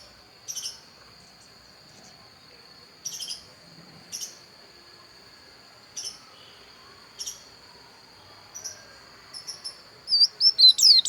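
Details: Dakun-type Javan white-eye from Pupuan, Bali: scattered brief high chips at irregular intervals, ending in a fast burst of high, sliding twittered notes.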